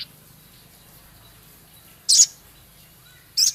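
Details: Male Javan cochoa ticking: two loud, sharp, very high harsh notes about 1.3 seconds apart, otherwise near silence with low hum.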